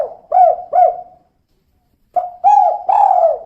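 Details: Low, hollow 'kuk 2' coos from a female spotted dove. Two bent short notes trail off, then after a short gap a new phrase starts with a quick note and stretches into long, level coos.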